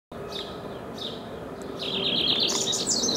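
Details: A House Wren nesting in a backyard sings: a couple of soft chips, then a rapid, bubbly cascade of high notes tumbling together, with a low steady hum running underneath.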